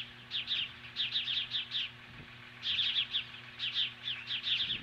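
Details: Nest-site osprey in Lolo, Montana, facing off magpies on a July 2015 morning, gives quick bursts of thin, piercing chirps in clusters of four or five, with short pauses between runs.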